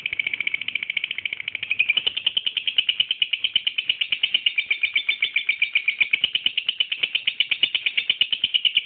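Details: Lovebird of the type called angel, singing a continuous rapid chatter of shrill, buzzy chirps repeated many times per second for the full nine seconds, with no pause and steady loudness, in a quiet indoor setting.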